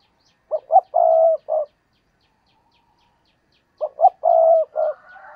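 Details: Decoy spotted dove used to lure wild doves, cooing twice: each phrase opens with two short rising notes, swells into a long steady croon, then ends on a brief final note, with silence between phrases.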